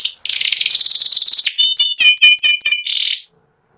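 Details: Contest-ready white panda canary in ngeriwik song: a fast buzzy trill gives way to clear ringing whistled notes repeated at a quick pace, then the song stops abruptly into silence.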